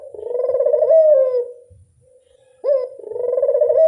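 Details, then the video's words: Lure call of a ringneck dove: a throbbing coo that rises slightly and then falls, a soft lull, then a quick upward note leading into another trembling coo. "Pancingan burung puter mamtap nembak"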